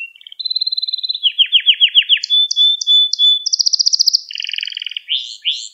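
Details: Canary song meant to train young canaries: a varied sequence of a high trill, a run of descending buzzy notes, clipped high whistles, a rapid rattling roll and closing sweeping chirps.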